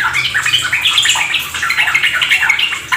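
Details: Sooty-headed Bulbul (trucuk) lure song, meant to spur a kept bird into rapid 'ropel gacor' singing; dense, hurried chattering phrases of bright warbled notes run without pause over a steady hiss like trickling water.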